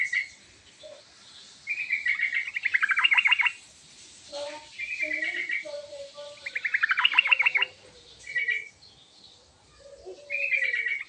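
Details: Chatty yellow-vented bulbul in full, richly varied song, calling to draw quick replies: bubbly, fast trilled phrases repeated every couple of seconds, with softer low warbled notes between bursts.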